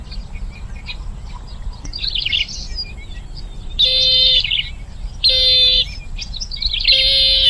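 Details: Bronze-winged jacana, known locally as jolpipi, producing a series of loud buzzy, nasal calls spaced about one and a half seconds apart, mixed with softer twisting chirps.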